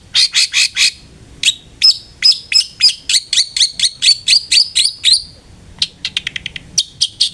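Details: Long-tailed shrike lure recording to make a bird sing: varied, lively warbling song of quick high chirps and whistled notes, dense rapid phrases, then a fast stuttering trill and scattered sharp notes.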